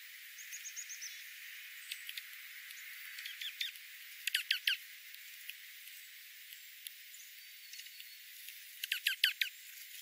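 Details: Dark-eyed juncos, possibly two or three varieties, in winter oak woodland at 1000 feet in the central Klamath Mountains foothills give two quick bursts of sharp, high ticking chips; faint thin high whistles near the start.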